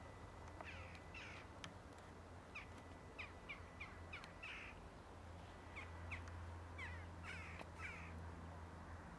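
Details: A yellow-legged gull at Žale cemetery, Ljubljana, Slovenia, on 16 March 2023, gives harsh, nasal calls in quick irregular bursts, several close together, over a steady low hum of distant traffic.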